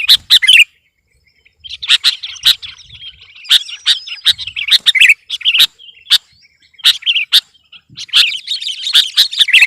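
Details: Sooty-headed bulbul in vigorous song aimed at overpowering rivals: loud chattering phrases broken by sharp single chips, a brief silent gap near the start, and a dense rattling finish.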